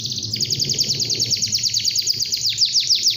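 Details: Morning canary song meant to set other canaries singing. A loud, continuous run of quick, high, downward-sliding notes repeats about three times per second, with a slight pitch shift partway through. A steady low hum sits underneath.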